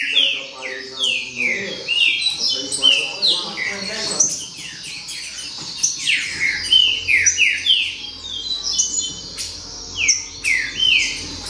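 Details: Green-winged saltator baderna: a dense run of bright, downward-sliding whistles repeated in quick, uneven succession, several birds overlapping, with a low hum in the background.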